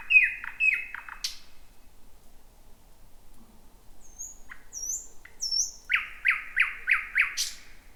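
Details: First thrush nightingale of 2026 singing just before midnight in a thick bushy area: harsh descending notes, a pause with faint high whistles, then a loud series of repeated sharp notes about twice a second.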